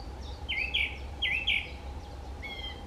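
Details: Song thrush at Rieux singing a short buzzy-whistled phrase twice in quick succession, followed by a fainter higher note, over constant low background rumble.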